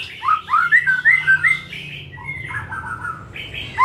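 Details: White-rumped shama in afternoon song meant to prompt other shamas to sing more: loud, clear whistled notes sliding up and down in quick succession, then softer warbling phrases.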